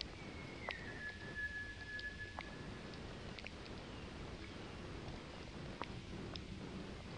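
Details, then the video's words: Striated laughingthrush at Okhrey, Sikkim, India, in May 2018, giving a single long, clear whistle that drops slightly at first and then holds steady for about two seconds, over low rumbling background noise and scattered faint clicks. "Striated Laughingthrush"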